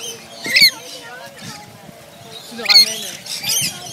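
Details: Wild rainbow lorikeets at Lone Pine Koala Sanctuary, fed by staff, give harsh, shrill screeching bursts, three in four seconds, with faint chatter from other birds and murmuring voices behind.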